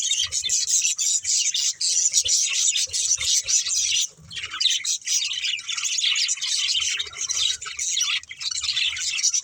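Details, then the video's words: A group of pet budgerigars, playing and eating, keeps up a steady high-pitched warbling chatter with squawky and chirpy notes, dipping briefly near the middle, and soft tapping sounds below. "Cute Budgies Chirping Sounds"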